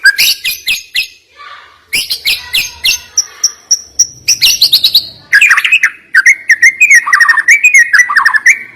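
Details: White-rumped shama pouring out sharp 'nembak' song: fast, sharply clipped high notes, a run of steady high piping, then a rapid stream of lower wavering whistles, almost without pause.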